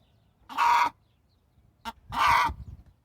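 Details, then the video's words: Domestic hen giving two loud, hoarse squawks about a second and a half apart, with a brief soft cluck between them. "صوت الدجاجة"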